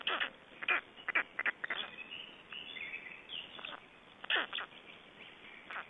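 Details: Black storks feeding and changing over at their nest in Estonia, 25 May 2012: scattered harsh, hoarse bursts, some in quick doublets, separated by quieter gaps with faint background hiss.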